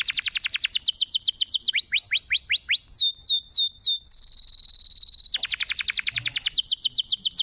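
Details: Lure song of a canary for triggering other birds to sing: rapid, very high sweeping trills, then slower downward slurred whistles, a sustained steady tone, and a return to fast rolling trills.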